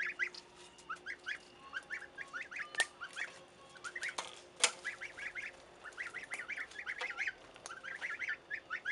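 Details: Several goslings peep continuously, short rising high notes in quick clusters, with scattered sharp clicks and knocks mixed in and a low steady hum behind.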